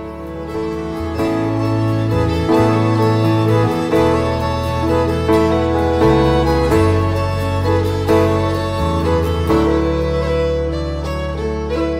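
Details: Slow, sustained bowed strings play a sad harmonic passage throughout, with no animal sounds.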